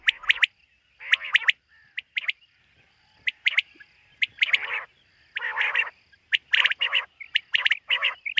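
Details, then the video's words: Common quail calling at morning in a summer meadow, with bursts of emphatic clipped notes in groups of two or three, spaced about a second apart, mixed with rougher scratchy notes. "Common Quail. Bird sounds from summer meadow |suba batair ki awaz 2023 | morning batair 2023"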